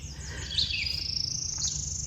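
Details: Northern Parula singing a high, buzzy, ascending trill that climbs over about two seconds, with a low rumble underneath. Recorded about 8 a.m. along a road in Sax-Zim Bog, northern Minnesota, in summer.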